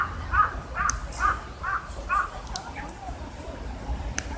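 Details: Birds calling under fully blooming cherry trees in Busan, South Korea, on 30 March 2015, an unusually hot spring day: a series of about five harsh, cawing notes roughly every half second, then scattered faint calls over low background rumble.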